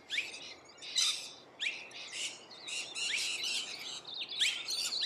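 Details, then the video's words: Rainbow lorikeets feeding in Australia, with scattered harsh, shrill screeches and overlapping rasping chatter from several birds. "Rainbow Lorikeets Feeding"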